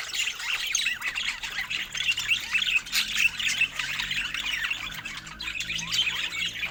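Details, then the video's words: Budgerigars sharing fruit keep up a lively warbling chatter of short squeaks, trills and rising chirps, many notes overlapping throughout. "Cute Budgies Sharing Fruits with Funny Happy Sounds"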